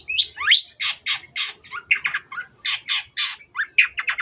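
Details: Lively long-tailed shrike singing, a lure track meant to stir reluctant birds to sing: a fast, varied stream of harsh squawks, rising chirps and buzzy bursts with hardly a pause.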